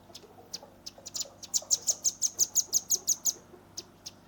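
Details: Shooting song of a young velvet-fronted nuthatch: a few soft high chips build into a steady trill of about twelve sharp, piercing notes repeated roughly six per second, then two isolated chips.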